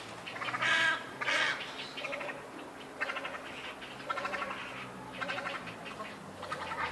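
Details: Many grey heron chicks at a colony in Sendaibori River Park, Koto, Tokyo, 20 March 2022: two loud harsh squawks open, then rapid rattling runs of ticking notes rising and falling, with cormorants and night herons nesting nearby.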